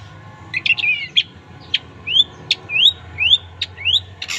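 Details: Cendet singing as a tutor for other birds: sharp clicks alternating with short rising whistled slurs, repeated roughly twice a second over a faint low hum.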